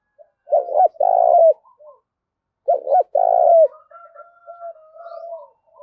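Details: Spotted dove decoy calling to provoke rivals: two loud phrases, each a quick double note then a sustained throaty coo, followed by quieter trailing coos and a faint high whistled line.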